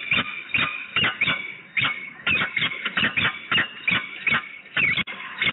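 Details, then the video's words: Duet of a peregrine falcon pair at Włocławek, 9 August 2020, with the female later departing: rapid, rasping, strident calls repeated three or so per second, some notes with a thin ringing edge, steady and insistent throughout. "sokół wędrowny - duet, monolog i 2 x odloty samiczki"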